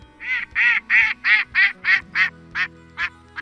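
A mallard gives about eleven loud, nasal, raspy quacks, roughly three per second, fading toward the end, with faint background music.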